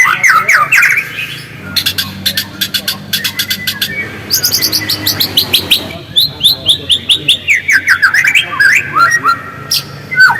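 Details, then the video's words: White-rumped shama singing, played to provoke singing: bright rising and falling whistles, dense clicking ticks in rapid series, and a long run of quick repeated descending notes; loud and varied, with a low hum behind. "PANCINGAN MURAI AGAR GACOR DENGAN SUARA ASLI"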